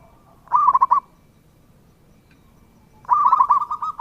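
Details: Lively local zebra dove song, meant to draw replies from other doves: a short, loud, rolling coo burst, a second of quiet, then a longer phrase of trilled coos.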